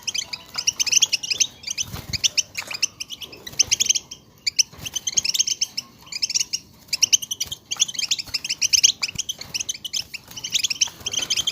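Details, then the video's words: European goldfinches in a group chattering, used to excite and stimulate goldfinches into singing; dense overlapping high twittering, rapid tinkling chirps in bursts with short pauses, some low thumps near two seconds. "بتبتة حسون جماعية ضرورية لتهييج وتحفيز طيور الحسون على التغريد"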